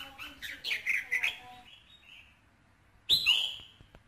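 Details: Red-whiskered bulbul song played to stimulate a male bulbul, from a recording said to contain ché, kình and rít tones: a quick run of bright chirpy notes, a soft fading note, then a sudden loud sharp burst.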